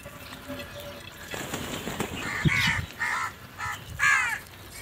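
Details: Crows fighting over food, with rustling and a thump, then a quick run of four hoarse, clipped caws, the last one loudest and harshest.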